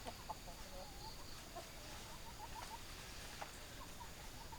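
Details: Chickens give quiet, short clucks spaced irregularly, a small run of quick notes near the middle, with a low steady hiss underneath.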